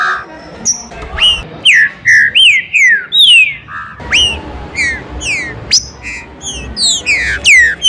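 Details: Green-winged saltator song for warm-up and song stimulation, recorded in the rain: loud clear whistled notes, many sliding steeply down, delivered in quick, uneven series with brief lower fluty notes and a soft hiss beneath.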